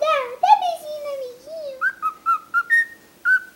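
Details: Pet cockatiel that talks a great deal, opening with a low, voice-like harmonic warble. This gives way to a row of short, evenly pitched whistled notes, with brief pauses between them.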